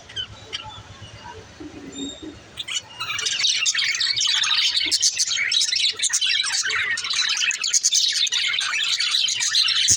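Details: Pet female budgerigars: a few soft isolated chirps, then after about three seconds a sudden burst of busy, high, warbling chatter that carries on without a break.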